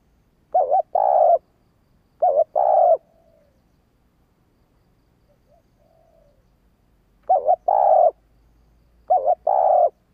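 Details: Urging call of a female spotted dove, meant to make male doves answer quickly: four deep two-part coos, a brief quavering note running into a fuller drawn-out one, in pairs spaced irregularly, with quiet gaps and faint murmurs between.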